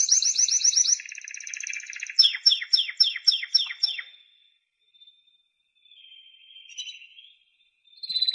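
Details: A Timbrado canary gives quick rattling trills, then a series of about eight downward-sliding repeated notes, before falling mostly quiet with faint soft notes.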